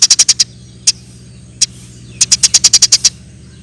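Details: Vigorously chirping Eurasian tree sparrow used as masteran tutor audio: a fast run of five sharp high chirps, two lone chirps, then a rapid string of about nine, over a steady low hum.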